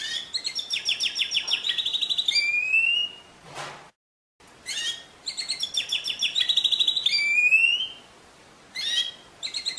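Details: Canary song in rapid trilled tours between 2 and 8k, buzzy repeated notes and rising whistled slides, broken by a short silent gap near four seconds before the trills resume, then another pause and a fresh burst.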